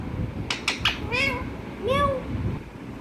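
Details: Pet parrot indoors imitating a cat's meow: a few short clicks, then two drawn-out, wavering, nasal meow-like calls over a steady room hum.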